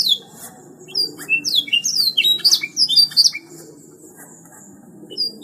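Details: Canary 'gacor' song: a short burst of loud, bright whistles, some slurring down and others rising, delivered quickly over about two seconds, then quieter scattered notes and a faint low background.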